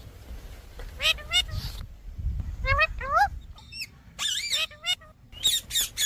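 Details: Indian parrot kept at home, letting out short groups of harsh, harmonic squawks and a few wavering shrieks, separated by quieter gaps with low rumbling background noise.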